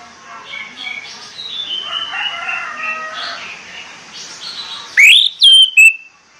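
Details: Morning song of an orange-headed thrush, meant to stir the bird into singing: soft jumbled warbling at first, then three loud, sharp upslurred whistles in quick succession near the end.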